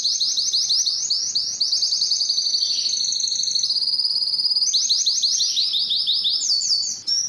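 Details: Song of a Belgian canary, used to excite females for breeding: a chain of fast high rolls that change tour every second or so, with a lower buzzy passage in the middle and sliding notes at the end.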